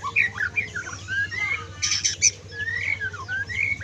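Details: White-rumped shama, trotol song with kriwikan: busy overlapping whistles and rasping chatter with a noisy burst in the middle, set against a loud low hum.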